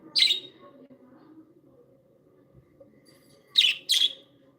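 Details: Happy budgerigars kept as pets give one sharp chirp, a long quiet gap with faint murmur, then two quick scratchy chirps close together.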